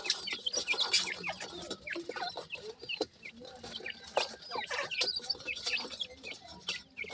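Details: Several young francolin, or teetar, chicks calling with rapid, high, downward-sliding peeps that overlap in a busy chatter, over light scratching and occasional clicks.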